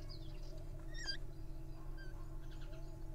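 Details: Little owl grappling playfully, giving squeaky calls: a sharp, high squeak with stacked overtones near one second, with fainter thin squeaks before and after, all over a steady low hum.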